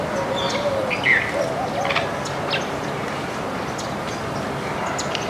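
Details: A backyard flock of Baya weavers (Ploceus philippinus) eating grains gives short, high, scattered chirps at an irregular pace over a steady hiss of background noise.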